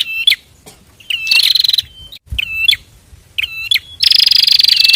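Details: A pair of bar-winged prinias singing, used as a master recording for training other birds: bursts of rapid buzzy trills high in pitch, with sharp upslurred notes between, the loudest burst at the end.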